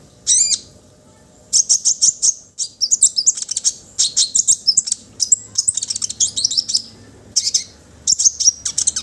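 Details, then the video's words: Orange-headed thrush song meant to stimulate other birds to sing: a loud opening note, then long runs of rapid, high, varied chattering and warbled phrases, broken by brief gaps. "Ocehan konin agar burung anda cepat bunyi"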